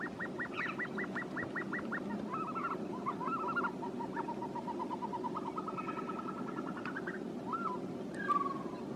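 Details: Caspian snowcock in a long calling sequence: quick arched whistles, a chain of evenly spaced short notes, then a few drawn-out rising and falling whistles, with steady background rumble.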